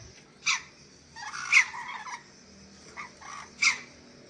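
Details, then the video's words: Ornate lorikeet of Sulawesi on a masteran track giving scattered raspy, noisy squawks, four or five bursts separated by short quiet gaps. "MASTERAN BURUNG NURI DORA SULAWESI"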